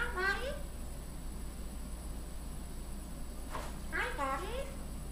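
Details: Solomon Island eclectus parrot talking and singing indoors; two short bursts of harmonic, wavering speech-like phrases with swooping pitch, separated by a few seconds of quiet room hum.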